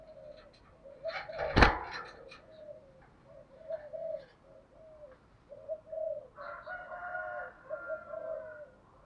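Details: Spotted dove cooing as a lure for wild doves, a steady series of soft mid-pitched coos heard at some distance over background hiss, broken by a sharp loud click and a faint higher tone late on.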